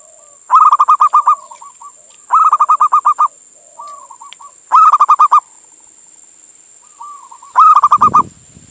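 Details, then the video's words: Male local zebra dove from Indonesia calling to a female, a recording meant to lure or stir other doves: four bursts of eight to ten quick, rolling coo notes, each about two and a half seconds apart, softer coos between, constant faint high hiss. "Suara Perkutut Jantan Memanggil Betina"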